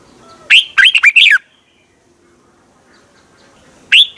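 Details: Song of the red-whiskered bulbul, Thailand, used to rouse caged birds: one lively chattering phrase of four or five slurred whistles, then a quiet pause before the start of a second phrase.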